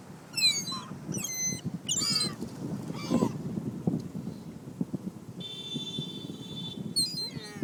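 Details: Seagulls in a flock scavenging pizza crust beside a parked car in Closter, New Jersey; several sharp, descending gull squeals in quick bursts early on, a later cry near the end, over steady low traffic rumble.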